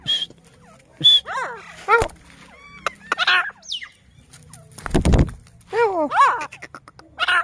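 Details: Possibly a female grey francolin gives a series of harsh, chirping calls that arc up and down in pitch, broken by a few dull thumps and handling knocks.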